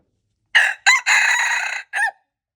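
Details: Red junglefowl, recorded February 26, 2025, crowing: a loud, harsh, broken crow in four bursts, a short opening note, a hoarse rising second note, a long strained middle section and a brief falling end, all within about one and a half seconds.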